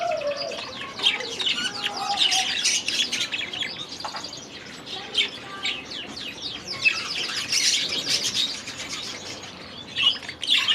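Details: Young budgerigars released into a new aviary for the new season; steady twittering and rapid chirps from several birds with occasional harsher squawks.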